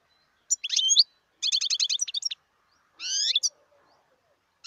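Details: Twittering from a wild European goldfinch, 2018: a few sharp chirps lead into a quick trill of about seven repeated notes. A drawn-out nasal, rising buzz follows, then a fresh chirp at the end.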